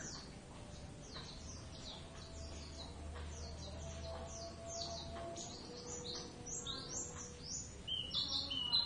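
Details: Two Oriental white-eyes, Javan race, duetting in practice: dense streams of high, quick downslurred chirps and twitters, growing louder toward the end, over a low hum and soft background noise.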